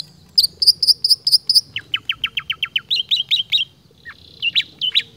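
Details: Long-tailed shrike in full song imitating other birds' sounds: five bright repeated high chirps, then a quick train of sharp down-slurred ticks, then rising and falling whistled phrases, delivered steadily without pause.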